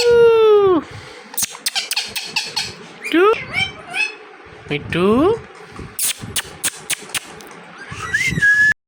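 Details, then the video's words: Talking parrot mixes drawn-out falling and rising voice-like notes with clicks and sharp pops, ending in a high whistle, as a person speaks and hums to it in between. "Parrot Talking Mithu Mithu"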